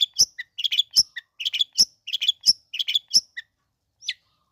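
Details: Long-tailed shrike song played to provoke other shrikes to sing: quick clusters of sharp chirps and scratchy notes, roughly one and a half per second, ending with a lone high chip.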